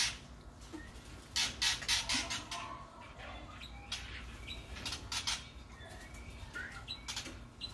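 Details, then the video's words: White-rumped shama chicks being fed by their parent in an aviary give harsh, scratchy chirps and rasping bursts in quick, uneven runs of about four a second, with rustling and fluttering between calls. "Pelolohan anak murai batu oleh induknya"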